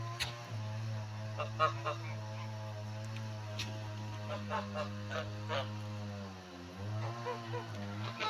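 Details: Male turkey giving its so-called song: a deep, steady droning hum with rich overtones, held for several seconds and dipping near the end, with scattered clicks and soft background noises over it.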